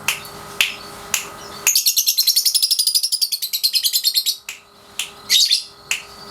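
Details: Lovebird, 3.5 months old, caged, practising ngekek in daily training: a few sharp chirps lead into a long, rapid, shrill rattling trill lasting nearly three seconds, then more chirps.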